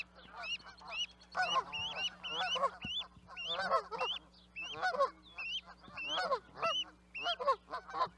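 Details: Several Canada geese calling together: overlapping two-part honks, each rising sharply to a higher upturned note, repeated steadily for eight seconds in a noisy chorus.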